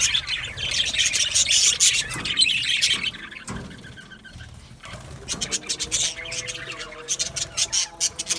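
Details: Aviary flock of budgerigars, an Australian parrot colony, chattering: a loud dense wash of high chirps and squeaks for three seconds, a short lull, then quick clipped chirps in rapid uneven bursts.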